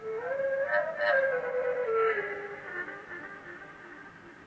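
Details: A soft, flute-like musical tone slides gently up and down over a quiet room background, with no animal calls.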